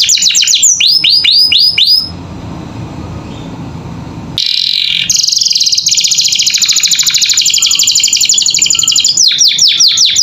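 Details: Captive canary training song for pet birds: curling whistles, a gap of roughly two seconds with only a low hiss, then a long, buzzy, rapidly pulsed high trill ending in swooping notes.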